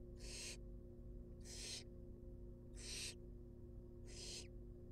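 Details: Barn owl young in a wild nest box, being fed, produce four loud, broad, breathy hissing bursts roughly every second and a quarter, over a faint continuous hum.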